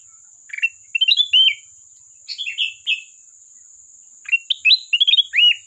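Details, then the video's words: Sooty-headed bulbul in full song, calling a rival: short bouncy phrases of rich whistled notes jumping up and down in pitch, three phrases with pauses between, a constant thin high tone behind. "Burung Kutilang Emas Gacor isian pandai memanggil lawan"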